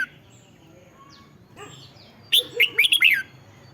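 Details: Red-whiskered bulbul, caged, singing as a lure to excite caged birds: after faint soft twitters comes one loud, rich phrase of rapid rolling whistles lasting about a second.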